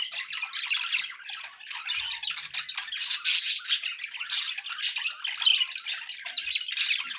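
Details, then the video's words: Pet budgies heard in dense chorus: fast staccato chirps, grating squawks and warbled phrases, steady and overlapping, with no quiet gaps. "budgie sounds with background noise for relaxation"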